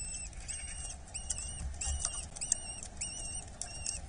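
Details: Eurasian hobby chick at a nest in Dorset, being fed, 8 July 2024: thin, arched whistled calls repeated in an uneven series over a steady low rumble and broadband background hiss.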